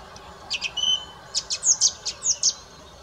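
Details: Song thrush singing: a quick burst of high chirps, then a run of bright, sharp notes, several of them repeated alike in close succession, over a quiet background hiss.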